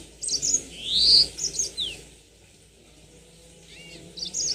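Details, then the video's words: Yellow-fronted canary lure song for prompting long rolling song: scattered high chips and one loud rising-falling whistle, then softer twittering notes, over a steady low hum and background noise. "Pancingan tercepat burung mozambik biar gacor ngerol panjang"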